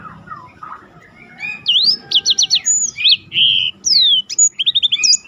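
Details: Black-throated canary rolling song for training contest birds: soft murmuring at first, then loud clear whistled notes, quick trills and slurred phrases over a low background rumble.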